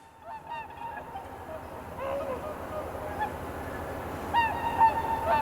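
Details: Swans calling at dawn in the blue hour on Kotoku-numa pond, Japan, before sunrise in darkness, recorded on a camera's built-in microphone: a few clear, nasal honking notes spaced out over a low hum of wind.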